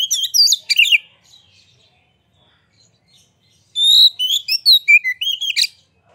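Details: Oriental magpie-robin in full vigorous song while fanning its tail, used as a lure to make other magpie-robins sing: a burst of rich, varied whistles and sharp slurred notes, a pause, then a second rapid warbling phrase.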